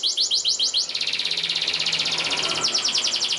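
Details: Canary song for training young birds: a few quick repeated chirps, then a continuous rapid buzzy trill lasting most of the clip, ending in faster repeated notes.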